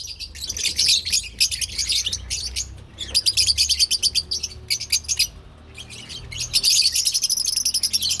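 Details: Lovebirds, including parblue and opaline colour forms, chattering loudly at close range: dense bursts of rapid, high, squeaky chirps, almost continuous, broken by brief pauses.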